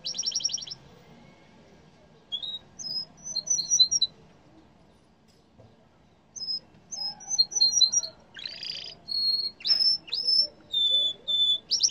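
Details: Yellow canary singing in bursts separated by pauses: a fast rattling trill, then clusters of high whistled notes, later buzzy sweeps and sustained pure whistles, all high-pitched over a faint low background hum.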